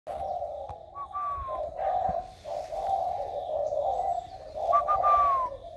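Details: Spotted dove recorded on 16 February 2020, a bird just coming into a warm voice, giving long, low, mellow coos in steady phrases, with another bird's clear descending whistles above it twice.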